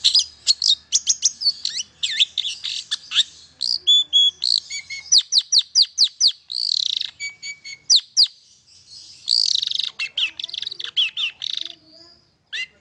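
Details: A long-tailed shrike, offered as song to stimulate silent shrikes into singing, gives a fast, varied run of sharp chirps, buzzy notes and downslurred whistles, packed tightly in a high, scratchy medley.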